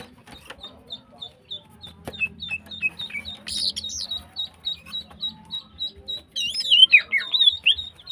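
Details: Female greater green leafbird in breeding condition, used to spur silent males to sing; a long run of short, high chipping notes repeated steadily, ending in a louder burst of varied squeaky, twisting notes.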